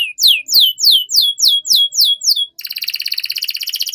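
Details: Canary song used as a lure to train young canaries to sing fast: a series of loud, sweeping downward whistles repeated about three times a second, then switching abruptly to a fast, steady buzzy trill.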